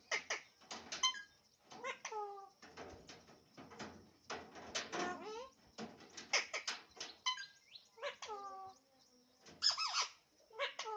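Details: Alexandrine parakeet chattering continuously, with rapid speech-like syllables, clicks and short rising and falling notes running together over about eleven seconds.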